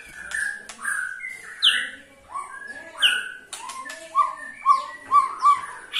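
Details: White-rumped shama, in a recording of the ketrekan call used to prompt other shamas to sing, gives varied clear whistled notes, some slurred down, with a few short repeated mid-pitched notes near the end.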